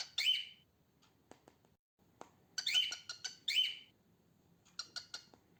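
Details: Rasping squawks from a female cockatiel, the sound of its singing. Three loud grating calls are spaced about a second apart, with softer clicks and short scratchy notes between them against faint low background noise.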